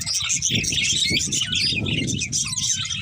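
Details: Two budgies twitter and warble in a dense high stream of chirps while a steady low rushing noise fills the background throughout.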